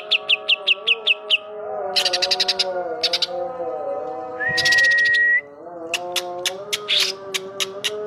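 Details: Lively song of a greater green leafbird carrying kapas tembak mimicry. A run of evenly spaced sharp chips leads into clustered buzzy trills, a long rising whistled note, then further rapid chips. A continuous low drone runs throughout.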